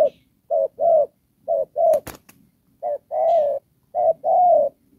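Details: Spotted dove, a trapping decoy, calling in the Đồng Pha style: paired low coos with the second note sometimes stretched long, plus a couple of sharp clicks midway.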